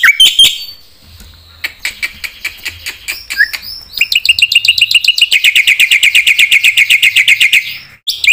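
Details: A black-winged myna sings a provoking song for other mynas. Scattered sharp chips and a short whistle give way to a long, accelerating series of clipped, repeated notes, about four per second, ending abruptly.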